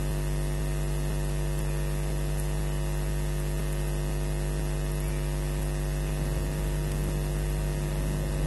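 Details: Steady electrical mains hum with constant static hiss and no animal voice, recorded at the Loch Garten osprey nest camera in July 2011.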